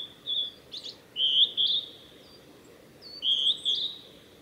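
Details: Male Blue-and-white flycatcher singing along the Mizusawa forest road in Tanzawa, Japan, on 8 June 2020; two bursts of clear, warbling whistled phrases a couple of seconds apart, with a steady low background hiss.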